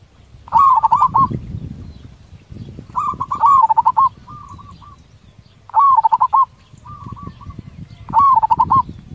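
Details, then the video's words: Zebra dove, a local bird singing loudly and responsively, repeating short rolling cooing phrases about every two and a half seconds, some followed by a softer echoing trill, over low background rumble. "Full Suara besar perkutut Cepat respon!! Nyaut..."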